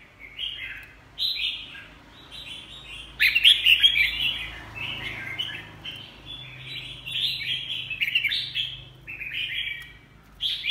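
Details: Red-whiskered bulbul in a cage, beak molting, sings a long series of lively warbled phrases, loud chirpy slurred notes repeated in rapid bursts with short gaps between them.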